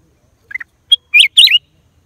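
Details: Black-crested Bulbul, April 2023: a few soft chirps, a thin high note, then two loud, bubbly, warbling phrases in quick succession. No other sounds.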